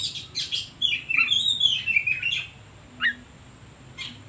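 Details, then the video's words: Oriental magpie-robin singing to provoke other birds: a few harsh bursts, then a long run of high, wavering whistled notes, followed by a brief pause and two short sharp calls. "Suara Pancingan Kacer Paling Ampuh || Bikin Burung lain Makin emosi"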